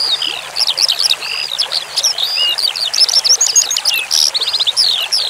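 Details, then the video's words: Skylark (branjangan) song for bird training, mixed with trickling water: rapid bursts of high whistles, buzzes and quick trills in varied order, with a brief rattling run of identical notes partway through. "Masteran Suara Branjangan Sky Lark"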